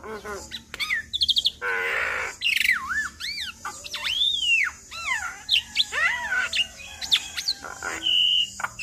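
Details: Busy Javan myna song, full of varied phrases, played to make other mynas answer: wailing swooping whistles, looping arcs, a harsh rasp and a held high note, over faint hiss.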